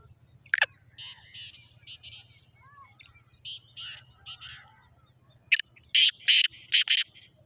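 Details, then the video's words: Black francolin, Kala Sindhi teetar, recorded 14 March 2024: a sharp opening note, soft rasping note groups, then a loud rapid series of five grating bursts near the end, with a faint low drone throughout. "Kala Sindhi Teetar ki awaz"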